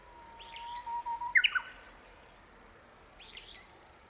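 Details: Japanese bush warbler singing near houses in Minamiboso City, Chiba, Japan, in April 2018, perched on a branch it kept returning to: a long steady low whistle, then a quick rising, jumbled flourish; fainter chirps from another bird before and after.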